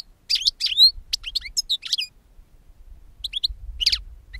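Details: Singing European goldfinch used as a lure for bird capture: scattered bright, high chirps and twittering notes in two loose bursts separated by a short quiet gap.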